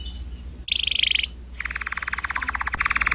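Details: Canaries singing, quieter and set back: a short high buzzy trill, a brief pause, then a long even rattling roll of fast repeated notes with a faint background hum.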